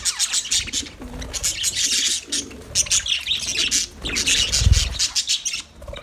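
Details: Colony of budgerigars chirping: dense, overlapping high chatter and scratchy twitters, with low cooing notes from another bird underneath and a brief low thump near the end.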